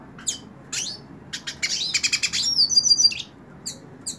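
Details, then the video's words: Hooded siskin, a caged bird singing while held in the hand, indoors: a rapid, high twittering song of chirps and buzzy trills, with sweeping notes, a fast rattling run and a thin repeated whistle near the end. "Cabecita Negra Canta En La Mano / Pintassilgo Cante Na Mão"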